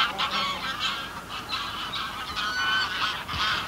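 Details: Several greylag geese in a small flock on the ground, calling from medium distance: brief nasal honks in quick, uneven succession, overlapping, over a low background rumble.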